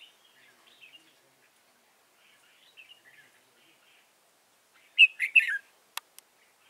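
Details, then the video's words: Red-whiskered bulbul used as a decoy in trapping, Dong Nai, 15 November 2017; soft scattered chirps, then one loud three-note warbled phrase followed by sharp clicks. "Bẫy chào mào Đẳng cấp Xòe mềm Vip 15/11/2017 phần 1"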